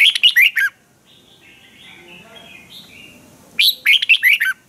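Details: Energetic caged red-whiskered bulbul in Thailand giving a clear training song: two punchy phrases of about six fast, fluty, swooping notes separated by three seconds of quieter chattering from other birds far off.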